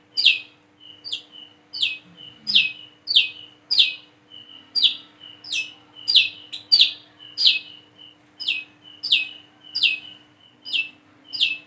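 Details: A young-style practice series from a plain-throated sunbird learning to sing: sharp high downslurred notes with thin whistles between them, repeated nearly continuously, about ninety-four a minute, for over eleven seconds.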